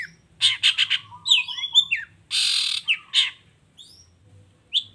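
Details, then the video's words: Long-tailed shrike song used as a lure to provoke reluctant shrikes into calling: quick high chirps and thin sliding whistles, then a harsh, rasping half-second squawk, followed by a few scattered sharp notes. "Suara Cendet Gacor Toet toet"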